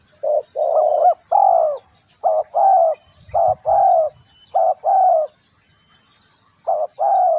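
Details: Spotted dove coos meant to attract birds for trapping, paired short-and-long hollow notes in bursts, with a brief soft low rumble midway and a pause near the end.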